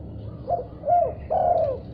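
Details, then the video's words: A spotted dove gives a short answering phrase after hearing another call: two brief soft coos, then one long, downward-sliding coo, with faint low hum beneath. "Tekukur Diam Seketika Langsung Respon Nyaut Gacor Setelah Dengar Suara Ini"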